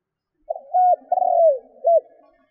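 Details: Lure spotted dove used to draw in wild doves gives one soft, low phrase: a quick broken opening, a drawn-out descending coo, then a clipped closing note, with faint background hiss.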